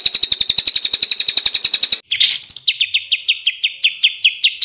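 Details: Tutor recording of a caged greater green leafbird's contest-style 'tembakan' song: a fast, high, buzzy trill, a brief harsh burst, then clear, lower, whistled notes repeated about three times a second.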